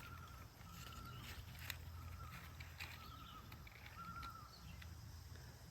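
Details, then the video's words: Loon calls with long, level, mellow notes, three drawn-out tones a couple of seconds apart, over a steady low rumble, heard from a garden at end of July during garlic harvest season. "I can't talk because I'm listening to that loon."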